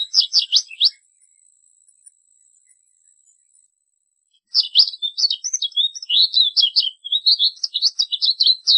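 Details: A short burst of bright twitters from an American goldfinch, then about three and a half seconds of silence, then a long, fast stream of high, warbling, chattering notes.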